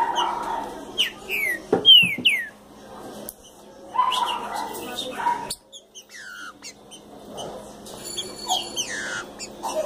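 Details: Green-winged saltator coming out of moult, giving loud clear whistled notes, some sliding down and others rising, in short separated phrases, with people talking and other chirps in the background.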